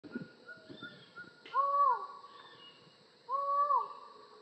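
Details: Collared forest falcon calling: two loud, hollow, drawn-out 'ahr' notes, each rising slightly then dropping at the end, about two seconds apart, with faint higher bird calls in the background.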